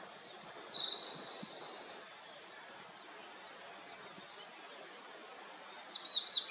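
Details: Blue-and-white flycatcher singing on a misty mountain just after rain: a high, clear whistled phrase of quick sliding notes, then a shorter second phrase after a pause, over a steady background hiss.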